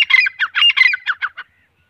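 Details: Short burst of grey francolin calling, male and female, around eight harsh squawking notes crowded together then tailing off, followed by silence.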